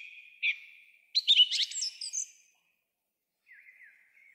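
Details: Song thrush at dusk on 3 April 2023, singing atop a tall pine on the road to Krasnye Ozera near Zarechny; a sharp note, then a fast jumble of high twittering and whistled notes, followed by a soft warbling phrase.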